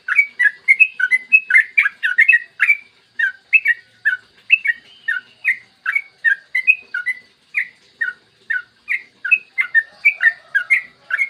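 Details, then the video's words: Yellow-vented bulbul in continuous long 'ropel' song recorded in the morning, used to prompt other bulbuls to sing. A fast, unbroken chatter of bubbly chirps, with a soft lower whistle near the end. "Masteran trucukan gacor ropel panjang cocok buat pancingan trucukan agar cepat bunyi dan ropel"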